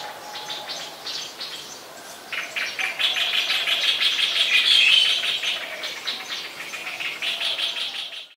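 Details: Black-collared starling recorded in Ubon Ratchathani, Thailand, on 12 July 2020, giving a long, rapid run of scratchy, chattering and squeaky notes that swells in the middle, about three notes a second, over quiet background hiss.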